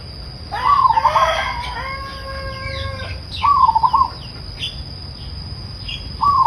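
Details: Soothing calls of a zebra dove: a rooster crows loudly first, then two short trilled, undulating coos follow. Scattered bird chirps and a constant high-pitched whine run throughout.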